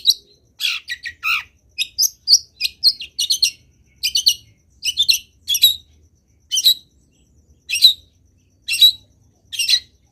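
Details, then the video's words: Long-tailed shrike singing energetically in a training recording full of fillers: quick scratchy chattering phrases at first, then sharp buzzy notes spaced about a second apart. "CENDET GACOR BIKIN BURUNG CENDET LAIN IKUT BUNYI - MASTERAN CENDET GACOR FULL ISIAN"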